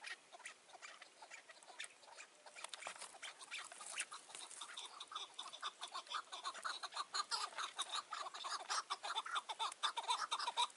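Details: At a mountain trapping site on a June 2018 evening, a chukar partridge produces a building series of clucking chuck notes, about two per second, starting faint and growing louder toward the end.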